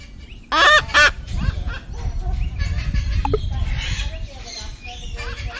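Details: Cockatoo opening with two loud, grating screeches, followed by a low rumbling noise and faint chatter from other birds.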